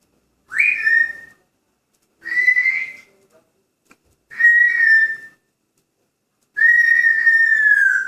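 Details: Pet grey parrot in a cheerful mood giving four loud, steady whistles indoors, each around a second long with a quick upward onset, spaced by short silences, the last one longest and slowly falling.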